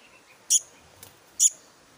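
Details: Young black-naped monarch uttering two short, thin, high-pitched notes just under a second apart against a quiet background.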